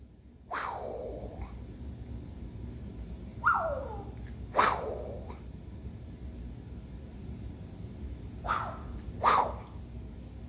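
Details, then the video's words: Pet African grey parrot trying out newly learned sounds: low, hooting swoops that slide downward, five in about ten seconds, mostly in close pairs, over a faint background hum. "the African Grey started making some new sounds!"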